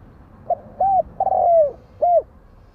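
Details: One full spotted dove phrase: a brief opening note, an arched mellow coo, a long burred coo falling in pitch, and a closing rounded coo, with faint low background hum.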